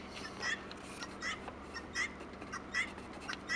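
A wild turkey gives five short, raspy notes, one about every 0.8 seconds, over a low steady hum.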